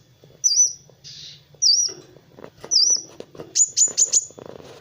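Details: Kolibri wulung sunbird in master song for training other birds: three separate high curling whistles about a second apart, then a fast burst of four sharp descending notes, with faint clatter behind.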